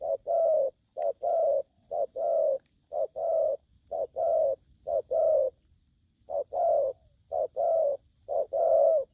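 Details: Wild-caught young spotted dove sounding aggressive: low rounded coos in short-long pairs, about one pair each second, with a brief pause midway and a faint high ticking behind.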